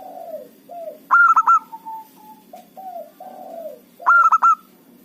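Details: Local zebra dove singing as a trapping lure for rival birds: two loud bursts of rapid ringing notes about three seconds apart, each surrounded by softer falling and level coos.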